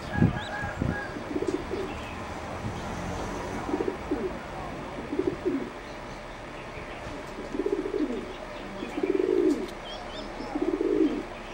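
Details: Competition singing zebra dove, a bred line, preening between phrases; soft rolling trilled coos come in bursts every one to two seconds, some longer and louder, over steady background hiss and distant chirps.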